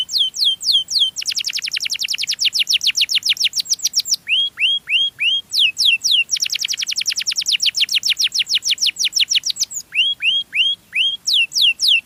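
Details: A canary sings sweetly to lure other canaries, alternating long runs of very fast high down-sweeps with groups of four or five slower arched whistles, the pattern repeating twice.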